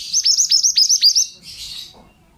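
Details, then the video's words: Training song of a male pied bushchat: roughly eight quick, piercing notes in just over a second, each a high flick that drops sharply, trailing off into a soft buzzy chatter. "BURUNG MANTENAN GACOR--MASTERAN"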